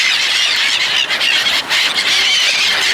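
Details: Seagulls crowding to be fed by people, producing an unbroken stream of high, piercing squeals and screeches from many birds together.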